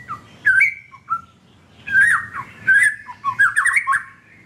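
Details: Caged white-rumped shama (murai batu) song used to coax silent birds into singing: varied chirps, squawky slurred notes and short rising whistles in bursts, with brief quiet gaps between phrases.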